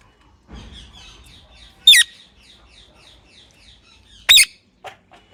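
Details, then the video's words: Talking pet parrot: two separate loud, rough, falling calls about two seconds apart over a faint, soft twittering background, with a low rumble near the start. "talking parrot mummy"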